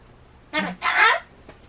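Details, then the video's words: Pet Solomons cockatoo, easily frightened by loud sounds such as town loudspeakers and election cars. Two harsh bursts: a short raspy squawk, then a longer, louder, noisy scream of about four tenths of a second. "XX starts suddenly while cockatoo is talking"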